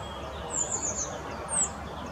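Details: Male rock bunting clutching a grasshopper in the Moselle valley, Valwig: a short stuttered series of very high thin notes followed by one clear descending 'tsi', over low steady background hum.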